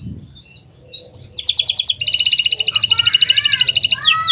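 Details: Canary song from a master recording for prompting quiet canaries: soft scattered notes build into a loud, fast, buzzy roll with lower warbled notes beneath.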